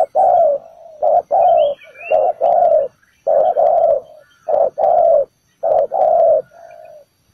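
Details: Spotted dove calling from the ground as trap bait, repeating deep, rough coo phrases of two or three notes, each group ending in a softer trailing coo; a brief high chirp from another bird sounds early on.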